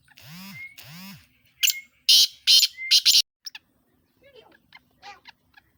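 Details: Sindhi black francolin calling: after two arched, tonal sounds, loud rasping notes burst out in a rapid, uneven sequence, then fade to softer scattered notes.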